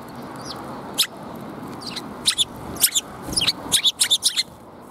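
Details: Sparrows coming to be fed, recorded 13 February 2021 on the way out: a loose burst of short, sharp chirps, some in quick clusters, over a steady low background hum.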